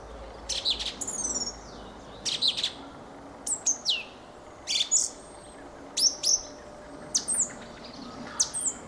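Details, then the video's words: Fieldfare song of sharp, high squeaks and descending strained notes, bunched in pairs and triplets at uneven intervals of about a second. "Fenyőrigó ( Turdus pilaris ) éneke."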